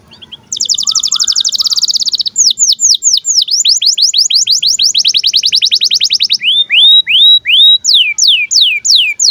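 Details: Canary in breeding condition giving birahi chirps, used as a tutor recording for young canaries: loud high whistled trills, then fast down-slurred notes repeated in rapid runs, ending with spaced rising-falling sweeps.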